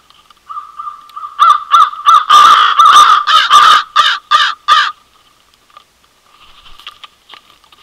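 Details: American crows give a rapid burst of harsh, loud caws, about eight in three seconds, trailing into fainter scattered calls, at a feeder in a residential neighbourhood of Manitouwadge, Ontario, on 24 March 2020.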